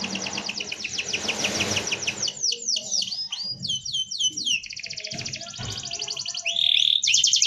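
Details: Dense rolling canary song meant as a tutor recording: long fast trills, a run of downslurred whistles, then buzzy rattles and a bright rolled tour, with faint low rumble behind.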